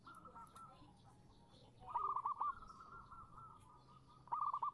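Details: Female zebra dove calling a male as a lure: fainter, rapid stuttered coo phrases with a long level tone between them, over soft background hiss.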